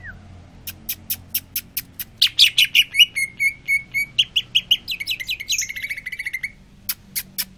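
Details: Greater green leafbird in active song after being sunbathed: a steady series of sharp clicking ticks leading into fast, varied high whistles and slurred trills, ending with more spaced ticks.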